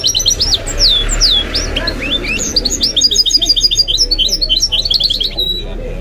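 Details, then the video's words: Pet goldfinch × canary mule giving a lively song that opens with descending whistled slurs, then runs into quick, tightly repeated high chirps and twitters. "The maestro's singing is amazing - the goldfinch hybrid"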